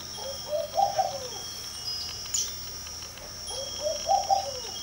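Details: Laughing Dove sitting on a garden porch in early morning, giving two soft, bubbling coo phrases that rise then fall, about three seconds apart, over a steady high hiss.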